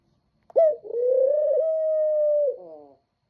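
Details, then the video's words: A single dove coo that opens with a sharp higher note, dips, then swells into a smooth, sustained low tone lasting about two seconds and ends in a soft fading flutter. The background is otherwise silent. "Cooey boy"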